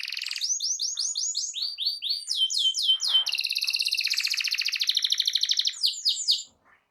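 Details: Loud canary song meant to prompt other canaries to sing: rapid series of bright rising-falling whistled notes, then long buzzy rattling trills and sharp chirps, in varied fast phrases and ending abruptly.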